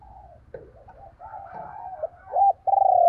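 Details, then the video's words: Decoy spotted dove, a kept lure bird used to provoke other doves into cooing: faint soft murmurs give way to two loud, low, hollow coo notes near the end, the last one drawn out and steady. "Tiếng Chim Cu Mồi dùng Kích Bổi Hiệu Quả Mở Là Gáy"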